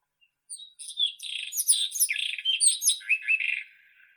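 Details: Song of the White-throated robin, a quick jumbled phrase of high chirps and buzzy warbles that descends slightly in pitch and fades at the close, on a clean, quiet background.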